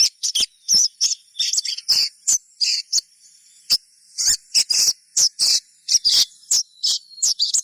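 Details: Sogon song played to prompt other sogons to sing: rapid, very high, sharp chirps and twittering bursts, some in quick runs, others spaced about half a second apart.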